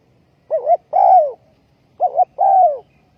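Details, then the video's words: Ground-decoy spotted dove in a bird trap, dated 20.04.2020, calling twice: each phrase a warbled double note and a long, rich, descending coo. "Bẫy Chim cu gáy bằng mồi đất"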